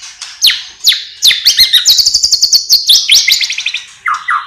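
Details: Loud, busy white-rumped shama song packed with mimicked phrases: sweeping whistles leading into a rapid pulsing series of high notes, ending in lower repeated two-part whistles.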